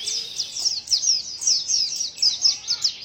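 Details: Short stretch of a white-eye's strange-sounding vocalization: quick, high, sweeping chirps and sharp downslurred notes in a fast chattering series, over faint background noise.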